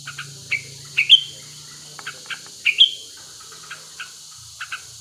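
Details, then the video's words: {'caption': 'Wild male sooty-headed bulbul in breeding condition, used as a lure to prompt other bulbuls to sing: short sharp chirps and slurred whistled notes in small bursts, spaced through the clip over a steady high hiss.'} "Pancingan Burung Kutilang Gacor Birahi Agar Cepat Bunyi"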